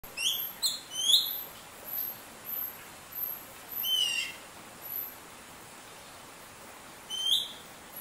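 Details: Greater racket-tailed drongo in Shiti Village, Yingjiang County, Yunnan, China, in October, chirping while feeding at a pond, giving bright, high metallic chirps: a quick cluster, then single sharp notes every second or so.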